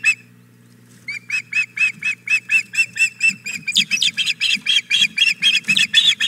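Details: Osprey pair at Hog Island Boathouse, the female calling for the male's freshly delivered fish: after a second of quiet, rapid insistent whistled chirps build into a dense, harsher, excited series, with a low background hum throughout.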